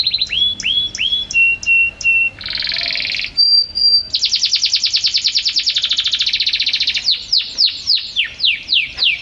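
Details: Champion canary in a varied, continuous song. Repeated falling whistles and a held pure tone lead into a harsh buzzy roll, then a long rapid rattling trill, ending in a series of loud downward-swept notes.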